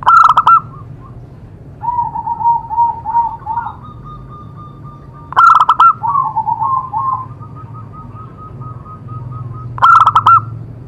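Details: Zebra dove (perkutut) recording for stimulating other doves to sing: three short, loud bursts of staccato coos spaced about five seconds apart, with softer wavering, trilled cooing filling the gaps.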